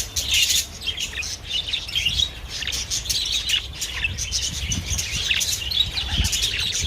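A budgerigar chatters in a rapid stream of scratchy warbles and high chirps.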